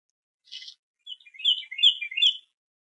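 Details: Young bald eagle at the Harrison Bay nest, 5 May 2015, attempting to feed itself after the parent ate alone: a short hiss, then a run of high, squeaky, slurred chirps that rise and fall over about one and a half seconds.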